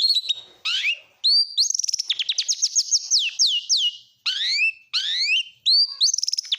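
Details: Kacer Nasional Oriental magpie-robin with a song rich in mimicked lovebird, canary and prinia phrases. Clear rising whistles and a fast series of descending slurred notes are set off by loud upswept calls.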